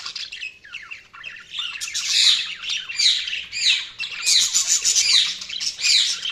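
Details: Budgerigars chirping in a loud continuous warble of squawks and twittering notes, swelling in waves with repeated sharp curling chirps.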